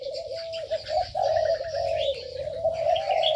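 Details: Aviary birds give a long, almost unbroken low coo with a gentle wavering pitch, accompanied by faint high chirping notes from the flock.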